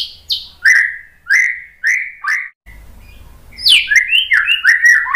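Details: White-rumped shama song for drawing other birds into song: a series of clear descending whistles repeated about twice a second, a short gap, then a fast rich medley of whistled and chattering notes.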